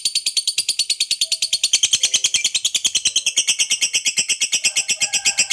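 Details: Long ngekek chatter from a fighter lovebird, meant to stir other lovebirds to sing: dense, rapid high-pitched pulses run on without pause, a shrill rattling trill that stays steady through the whole stretch.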